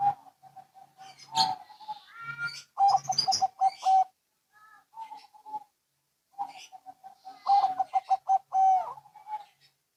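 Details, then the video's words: Zebra doves of local and Bangkok lines exchanging calls: mellow cooing notes, scattered higher chirps, and two bubbly runs of rapid stuttering coos. "Perkutut Lokal & Bangkok Bunyi Saling Bersahutan"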